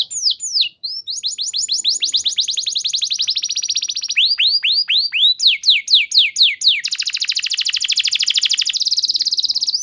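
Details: A canary, used as a lure recording to prompt other canaries to sing long and loudly, sings a long, fast song of high whistled sweeps and rapid trills, some phrases rolling into a steady buzzy tour near the end.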